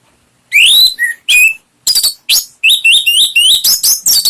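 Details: Orange-headed thrush singing as a lure to make a pet bird sing: a rising whistle and a lower fragment, then a fast, rich stream of varied looping whistles with almost no gaps.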